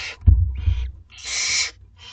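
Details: Two-week-old barn owlets in a school garden at dinner time: a short hiss, then a longer, louder rasping screech of about half a second, after a couple of low thuds.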